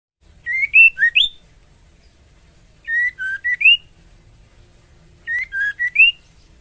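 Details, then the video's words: Female white-rumped shama in breeding condition calling the male: three bursts of four clear whistled notes around mid-high pitch, each phrase dipping then rising at the end, spaced about two seconds apart, over a quiet background. "Suara MURAI BETINA Memanggil Jantan"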